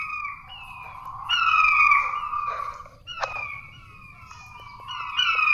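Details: King quail lure call used to attract quail: clear descending whistled notes with bright overtones, several drawn-out slurs falling in pitch, one sharp click midway, low background hum.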